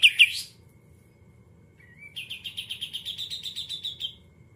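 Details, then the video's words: A caged Greater green leafbird in 'isian kapas tembak putar' style opens with two sharp chips, then a gliding whistle, then a quick burst of buzzy repeated notes that fades away. "Cucak Ijo Muntah Isan Kapas Tembak Putar"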